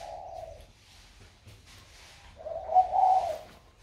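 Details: Caged young spotted dove with a warm 'thổ' voice, recently started cooing; two soft low coos separated by a quiet gap of nearly two seconds.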